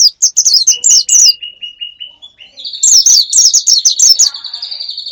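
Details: Lure for wild birds: quick bursts of high downslurred chirps alternating with a thin, level pulsing trill, then more rapid chirping over a sustained high buzzy tone.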